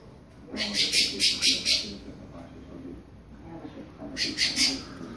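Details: Creamy-bellied thrush warming up into its classic song, giving a rapid series of five or six loud, harsh, high chattering notes, a pause with low background murmur, then a shorter burst of similar notes.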